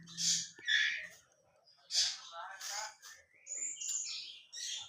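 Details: Medan white-rumped shama in trotolan style: a run of short, sharp whistled notes and chattering bursts, some high and some lower, with a man's voice talking among the phrases.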